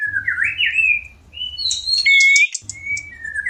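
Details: White-rumped shama in breeding condition, wanting to mate: varied whistled and slurred phrases around mid-high pitch, a sharp clear whistle near the middle, with a low hum in the background.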